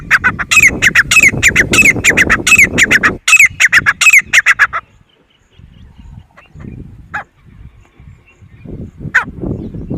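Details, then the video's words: Grey francolin, locally called titar, calling: a rapid run of loud, harsh, ringing notes, several per second, for nearly five seconds before stopping abruptly, then near quiet with soft rustling and two brief distant chirps. "Grey Francolin voice"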